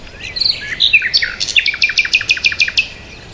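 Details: Bird chirping with a few whistled slurred notes, then a steady, fast series of crisp, evenly repeated high chirps over roughly two seconds.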